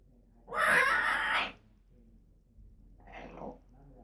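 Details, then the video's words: Female pet African grey parrot giving a loud, harsh, rasping screech of about one second, followed by a softer, shorter squawk. "African Grey Talking and Making Noises"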